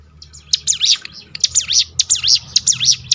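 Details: Crested honeyeater, known locally as ciblek gunung, giving 'tembakan' song meant to lure other birds to sing: loud, sharp, high zigzag chirps in quick succession over a low steady hum.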